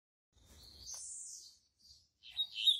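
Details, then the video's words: A captive double-collared seedeater, a tutor bird for young birds, sings high, bright phrases: a long sweeping whistle, then a short gap and a burst of quick chirpy notes. "COLEIRO ZOHAN UM DOS GALADORES E PROFESSORES"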